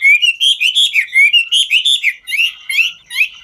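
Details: Singing and dancing Chinese hwamei, 'ngũ trường' style: a brisk burst of bright, warbled whistles and buzzy trills, notes rising and falling rapidly, rhythm loosening into scattered short phrases near the end.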